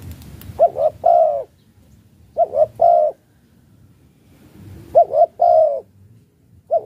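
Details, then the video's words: Spotted dove of the Malaysian type cooing in the luring-coo style: low, hollow phrases of two or three short notes and then a long drawn coo, repeated about every two seconds, with a soft background hum. "cu gáy chiêu gù ma lay si a"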